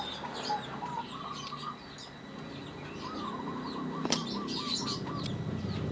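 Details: Zebra dove of a local strain, calling often with a voice called strange and unique: after a quiet start, a quick run of short, soft, low cooing notes stutters along, while other birds chirp high and a wing flutter sounds.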